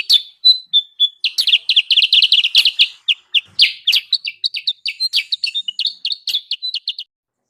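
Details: Lure recording of sooty-headed bulbul calls for attracting wild birds. It opens with a few separate whistled notes, then bursts into dense, bubbly chattering chirps at uneven spacing before stopping abruptly.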